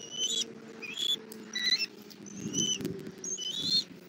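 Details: Bald eagle at a nest in Southwest Florida on 1 April 2024 at 17:30, the mother bringing food to her chick: faint, thin squeaky chirps in short groups, with low rumbling background noise.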